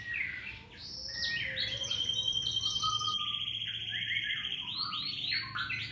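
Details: Domestic canary singing lively provocation song meant to prompt other canaries to sing; varied high whistled notes, sliding phrases and rapid trills, with a faint low hum throughout.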